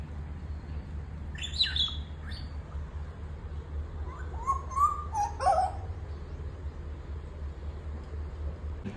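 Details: An African grey parrot gives a couple of sharp high whistles, then a wavering, mid-pitched whistled phrase, a call meaning it wants attention, perhaps from loneliness, over a steady low household hum.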